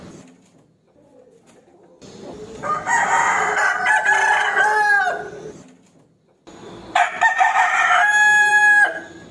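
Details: Crowing of a rooster challenging its rival: a hoarse, drawn-out crow of about three seconds, a short silence, then a second, shriller crow.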